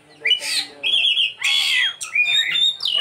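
An Oriental magpie-robin sings a rich, varied run of phrases: clear high whistles mixed with harsh, scratchy squawks and buzzy notes, delivered in quick bursts.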